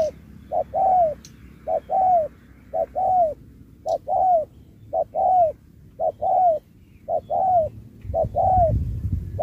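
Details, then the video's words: Spotted dove in a singing contest, with a Thúc-style song and Bo. An evenly paced series of about eight couplets, a quick note then a longer falling coo, with low noise rising near the end. "Bài lối Thúc kèm Bo tráo trở nước như chim ngoại"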